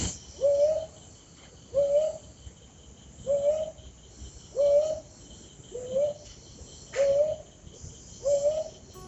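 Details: A Brown Hawk-Owl (Brown Boobook), a night-calling bird of lowland rainforest and thick vegetation, sings seven soft, mellow, rising hoots at a steady pace, one every second and a half, over a thin background of insects.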